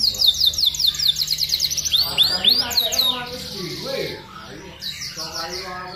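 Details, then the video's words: Vigorous canary song from an aviary, used as a master song for training: a rapid high trill of downslurred notes and arched whistles, fading into lower warbling chatter. "Kenari gacor untuk masteran"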